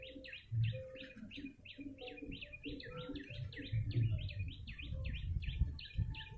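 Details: Yellow-bellied prinia call series to attract birds: bright, quickly repeated dipping chirps in a continuous run over a low rumbling background.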